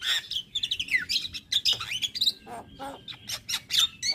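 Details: Javan myna male in full song as a tutor for other mynas: sliding whistled notes falling then rising, mixed with harsh rasping bursts and sharp chips in quick succession.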